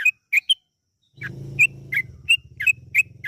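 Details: Yellow-vented bulbul lure song: clear whistled chirps, some rising and some dropping, repeated at a brisk pace over a loud low humming noise in the background.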